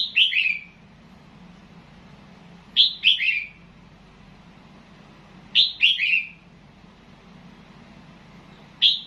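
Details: Red-whiskered bulbul from Loei province, Thailand, singing in the counted-phrase style: short bright whistled phrases of two or three quick falling notes, given about every three seconds with silence between, over a low steady hum.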